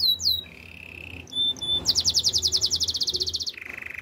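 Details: Canary song for training canaries: a few high swept notes, a steady buzzy trill, brief clicks, then a fast rattling series of rapid notes about seven per second, ending in a lower buzzy roll.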